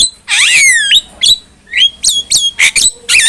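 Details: Black-winged myna song meant for training other mynas: a long sweeping whistle dipping and rising, then short bright whistled notes separated by brief gaps.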